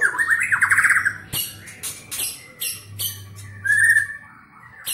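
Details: Captive White-rumped shama of the Medan type, said to sing fast with a rich repertoire mimicking other birds such as canary and lovebird: loud warbled phrases near mid pitch, sharp broadband clicks and bursts, over a steady low electrical hum.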